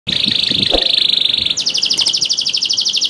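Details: Canary singing energetically as a lure to coax reluctant canaries into song: a long steady high trill of fast identical notes, then a quicker, higher buzzing trill of repeated notes, with faint low knocks in the background.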